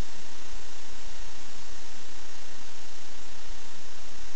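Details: Only steady, even hissing static fills the recording, with no animal calls.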